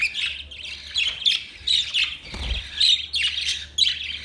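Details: Budgerigars warble in a fast, buzzy chatter of high chirps, nearly continuous, broken by a short low thump midway.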